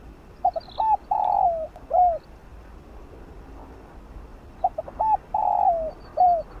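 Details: Field-voice song of a spotted dove meant to stimulate decoy birds. Two phrases about four seconds apart, each with quick short notes, a slurred coo, a long buzzy downward coo and a curved final coo. Faint high chirping is heard early on.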